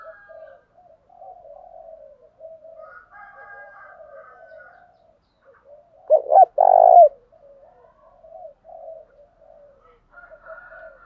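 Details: Spotted dove decoy cooing that provokes rival birds to call and fight: quiet scattered low coos from other birds around one loud close coo of short notes and a sustained note midway.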